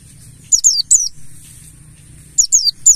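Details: Lure recording of a wild-style buxtoni mountain white-eye meant to get caged birds singing: two clusters of three piercing, high-pitched notes that each drop sharply in pitch, separated by a quiet gap of about 1.5 seconds.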